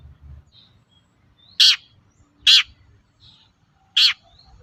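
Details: Long-tailed shrike (pentet, cendet) sound played as a lure to get other shrikes to answer: three loud, harsh, rasping notes, each short and sharp, spaced about one second apart, over a faint low hum.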